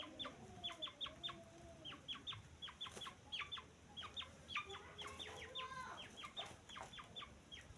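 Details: Rapid, thin, high cheeps from a grey francolin chick, closely spaced in short runs, heard softly against background hiss and occasional clicks.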